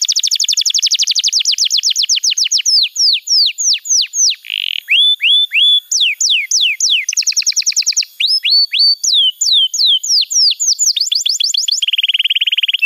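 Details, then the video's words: Canary training song for young birds, built from varied tours: fast high trills, runs of falling whistled notes, a brief buzzy burst and flat whistles, switching pattern every few seconds, no other sounds. "Masteran Kenari PAUD & Pancingan Kenari MACET BUNYI"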